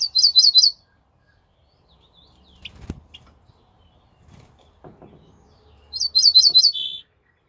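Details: An ortolan bunting sings on 28 May 2024, two short phrases of four ringing, clear notes, the second ending in a lower drawn-out note; faint knocks and rustling fill the gap between.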